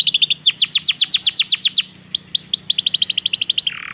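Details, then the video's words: Singing Belgian canary for training other canaries: a brief trill, then a series of loud falling notes about five per second, followed by upswept chips and a rapid rolling trill that fades into a soft buzz. "O canto do canário belga"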